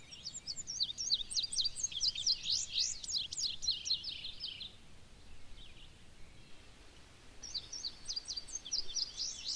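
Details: A male Indigo Bunting sings on his territory in Maine, in a clear-cut harvested a couple of years earlier. He gives a quick, bright run of high paired notes sweeping up and down, pauses, then starts another phrase over faint background noise.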